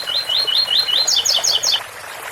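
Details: Double-collared seedeater in the ouro fino song style, an 8x4 phrase: eight rising, slurred whistles in even succession, then four brighter, higher doubled notes, all over faint fountain water.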